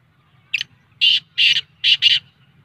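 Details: Black francolin call in a lively mood: a short grating note, then two harsh rasping bursts and a quick doubled pair, all loud and buzzy, spaced about half a second apart over a faint low hum.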